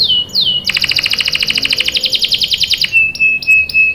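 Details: Canary lure song with rolling trills: two short slurred whistles, then a long rapid buzzy rattle, ending on a thin, steady high trill with brief chips.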